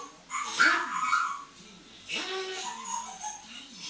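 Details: Hand-trained eight-year-old female African grey parrot, molting, playing on a bathroom towel rail indoors; two separate throaty, harmonic vocal sounds with curving pitch, roughly a second apart, in a small echoing room.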